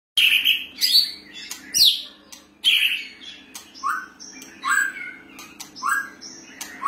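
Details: White-rumped shama singing loud, varied whistled phrases: rich warbles and slurred notes, some rising and some falling, in short bursts about a second apart, with lower downslurred whistles toward the end.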